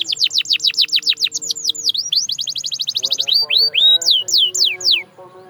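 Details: Canary song: a long run of quick, evenly repeated descending notes, then smoother U-shaped slurs, a fast trill, and a few louder sweeping phrases at the end.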